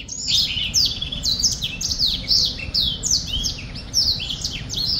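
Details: Singing black-throated finch, a songbird, delivering a loud, continuous string of high clipped notes and bright chips, evenly spaced several per second for the whole stretch, with faint low hum beneath.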